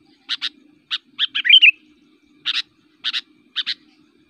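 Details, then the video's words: Aggressive fighting song of an active sooty-headed bulbul, used to rile rival bulbuls: paired sharp chirps spaced by short gaps, with one quick rising, warbling flourish in the middle, and a steady low hum underneath. "burung kutilang gacor, super fighter, ngotot aktif bikin emosi"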